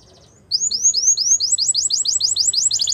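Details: A Belgian canary sings a sequence of high, smooth rising whistles that speed up into a quick rolling series of repeated notes.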